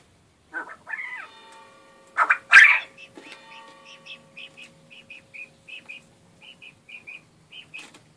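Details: Rarely crowing captive male quail gives a loud, rasping crow burst, surrounded by soft whistled notes and a long run of short chirps repeated roughly every half second.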